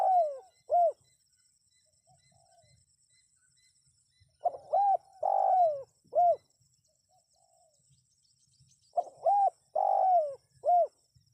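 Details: Spotted dove repeating its cooing phrase three times, about every four to five seconds, as a lure for wild birds: each phrase a stuttered start, clear coo, long vibrating coo sliding down, and a last short coo, with silence between.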